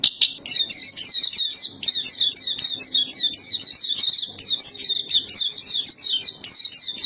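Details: Black-capped white-eye singing continuously in 'gacor' tutor song, a relentless high twittering of fast, jerky repeated notes grouped in phrases of roughly a second, with only brief breaks.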